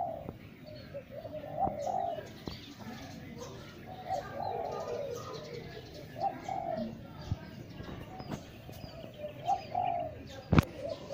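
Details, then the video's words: Spotted doves give soft, low, hollow coos in short repeated phrases, several birds overlapping, with faint chirps of other birds and light clicks in the background. "Suara Burung Tekukur"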